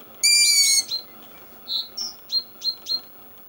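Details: Young long-eared owl calling in Edinburgh: a loud, harsh, squealing note lasting about half a second, followed by a string of short, high chirping notes.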